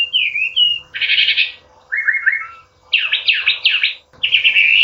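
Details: Training song of a Chinese hwamei for cage birds, said to stir rivals into fighting mood: varied phrases of slurred whistles, buzzy rasping bursts and quick repeated notes, separated by short pauses, over a faint low hum.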